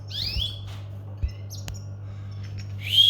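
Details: Two upward-sweeping whistled calls from a domestic canary, one at the start and one at the end, separated by quiet with a few sharp clicks and taps between.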